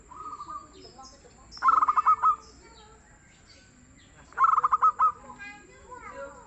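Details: Two cooing phrases from a local zebra dove described as a prolific, mellow singer: quick trains of pulsed notes trailing into longer coos, nearly three seconds apart, with faint chatter from other birds.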